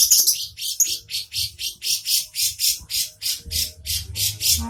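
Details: Lovebird giving shrill, harsh chirps in a rapid run, about four per second, loud and steady throughout with little pause between notes.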